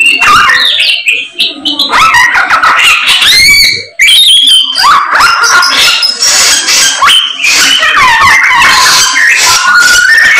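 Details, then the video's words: Vigorous song of a samyong bird: busy chattering phrases with squeals and slurred whistles, broken by a brief pause before resuming at full strength. "BURUNG SAMYONG GACOR, ADUHAI SUARANYA MANTAP"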